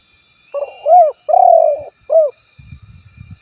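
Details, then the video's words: Spotted dove giving its rival-calling phrase, used for luring: soft short lead-in notes, a rounded coo, a long quavering coo and a clipped last coo, with quiet low rustling afterwards. "Suara Burung Tekukur Memanggil Lawan"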